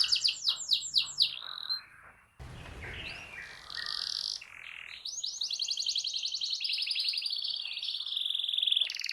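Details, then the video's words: Canary song used as therapy to prompt a silent caged canary to sing: fast trilled phrases, rolling buzzy trills and sweeping whistles in quick succession, with an abrupt cut partway through. "Terapi Ampuh Burung Kenari Macet Dijamin Langsung Ikut Bunyi II Masteran Suara Burung Kenari Gacor"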